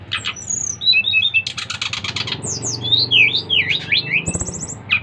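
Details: Brown-chested jungle flycatcher from Bali singing steadily to prompt others of its kind to sing: a varied run of short whistled notes, rising and falling slurs and buzzy rattling bursts, with low background hum.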